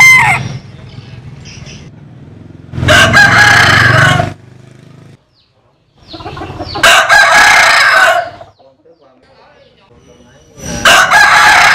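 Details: Rooster crowing, from a collection of Vietnamese and American Sil chickens: three loud, harsh, harmonic crows of about a second and a half each, spaced roughly four seconds apart, with quieter low rumbling between.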